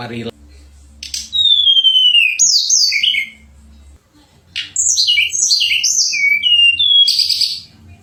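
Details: Pied fantail song, sweet chattering song used as master material for contest birds: long clear descending whistles, then a burst of quick slurred phrases and a buzzy ending, with a low background hum.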